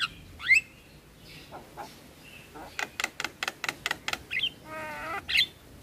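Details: Javan myna (jalak kebo) in a tutoring and prompting recording mixing it with other starlings: scattered whistles and rising slurs, then a burst of about ten rapid harsh clicks and a short rasping, ringing note.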